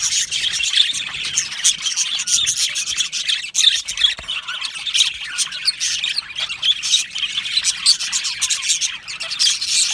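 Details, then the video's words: Happy budgerigars in a colony aviary, a constant shrill chatter of chirps and squawks from many birds, pulsing in uneven bursts with no pause. "Happy Budgies Sounds | Budgies Chirping Sounds"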